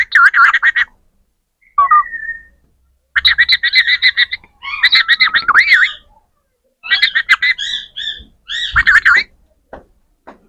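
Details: Parrots talking: short bursts of rapid, buzzy, pulsed notes mixed with bending whistled tones that rise and fall, about six outbursts separated by brief silences, ending with a few soft clicks.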